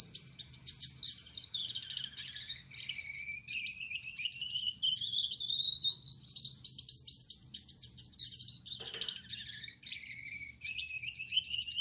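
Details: A male Gouldian finch, yellow-backed, red-headed and white-chested, sings at night in a long, unbroken stream of high, reedy, buzzing phrases that rise and fall, with a brief click near the middle.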